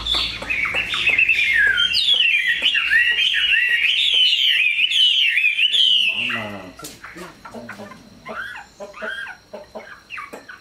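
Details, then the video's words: Caged Chinese hwamei, a tame, large bird praised for its voice, sings bright swooping whistles for about six seconds; afterward the song stops and a person speaks. "Mi họa thuần, bộ to, chất giọng cực hay"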